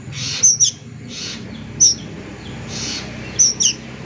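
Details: Juvenile plaintive cuckoo producing shrill high notes in pairs and singles, interleaved with soft hissy rustling bursts, over a low background hum.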